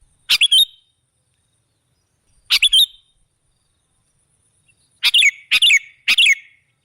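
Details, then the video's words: Lure recording of a sooty-headed bulbul meant to attract other birds: two brief chirpy phrases separated by a long gap, then three quick phrases in close succession. "Suara burung KUTILANG jebakan pemikat"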